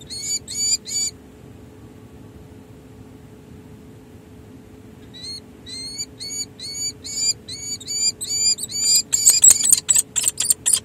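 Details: A peregrine falcon pair bonds at its San Jose City Hall nest ledge on 16 July 2024, months after the breeding season. A brief burst of rapid, high notes, a pause, then a long run of repeated chips that grows louder and quicker.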